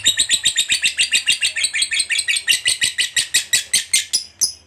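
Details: Fighter lovebird pouring out its long ngekek chatter, played to prompt other lovebirds to sing: rapid piercing chirps, near four per second, gradually spacing out and fading at the end.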